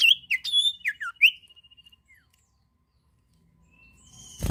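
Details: Energetic sirtu bird song for prompting other birds: loud chirps with sweeping slurs, a falling note, then a fading trill, followed by quiet and a soft high buzz.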